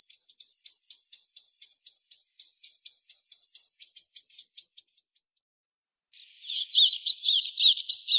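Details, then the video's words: White-winged snowfinch calling with rapid, even, high-pitched chirps for about five seconds. After a brief silence a harsher, buzzier burst of notes follows. "Голоса птиц. Воробей снежный (Montifringilla nivalis)"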